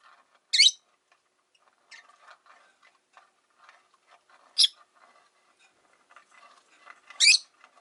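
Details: Three sharp, high chirps from caged rosy-faced lovebirds, five sharing a cage by a window, spaced several seconds apart over soft, scattered low background clutter.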